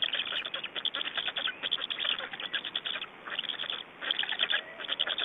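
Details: At an Estonian Black stork nest, evening of 24 May 2012, birds changing over and feeding: bursts of harsh chattering pulses in groups of about a second, separated by short quieter gaps.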